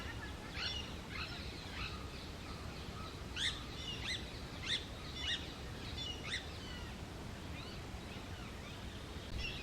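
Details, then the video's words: Indian grey hornbill gives a run of sharp, squealing notes that slide steeply downward, roughly one or two a second, over a steady low rumble of background noise. "Hornbill Bird and Weird sounds they make"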